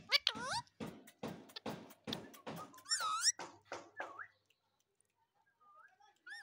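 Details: Pet Indian ringneck parakeet known for talking and dancing gives loud, rapid, harmonically rich squawks and bent, warbling voice-like notes for about four seconds, then a few soft whistles in a quiet room.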